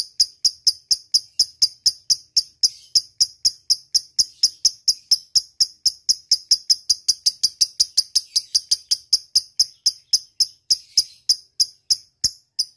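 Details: Lovebird calling out to a rival in a long ngekek chatter used to lure other birds: quick, high, clicking notes repeated evenly about four times per second for over twelve seconds, slightly faster toward the end.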